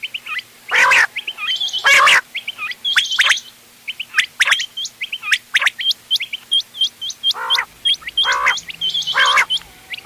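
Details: Mixed quail calls, a local crossbred type used for hunting: rapid sharp hooked chirps repeated about once a second, overlaid by louder harsh gargling bursts roughly every second.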